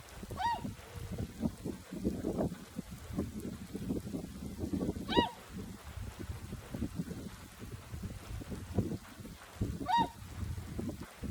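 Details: Swans resting in a flooded rice paddy beside their feeding ground in early spring, on a day of warm southerly wind, calling differently than usual. Three clear arched honking calls come about every five seconds over a steady low rumble of wind and murmur.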